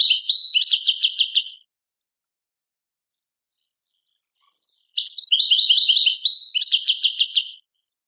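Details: European goldfinch singing in an Algerian song style labelled Tadmait: two bursts of rapid, high twittering with tinkling trills and buzzy notes, separated by about three seconds of silence, recorded cleanly with no other sounds.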